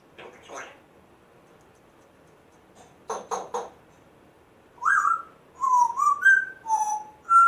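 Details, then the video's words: Pet African grey parrot one month after its rescue: scattered clicks and raspy bursts, then a lively series of clear whistled notes jumping up and down in pitch. "Hilarious African Grey parrot talking, funny weird sounds"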